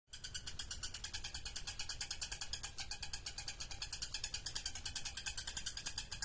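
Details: Lovebird singing in the ngekek mangap style: a fast, unbroken chattering trill of dense, buzzy pulses that keeps going without pause from start to finish.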